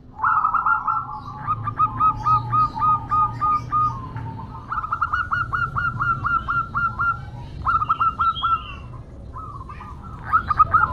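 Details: A female local zebra dove calls to a male in long runs of quick, clipped coos. The notes are repeated about four per second, with brief breaks between phrases and a faint low rumble underneath.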